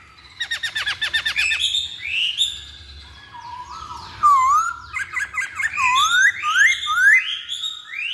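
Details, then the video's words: Lure recording of masked laughingthrush song opening with a fast stuttering burst of notes, then rich rising and falling whistles in quick succession over several overlapping phrases. "Pancingan Poksay Hongkong"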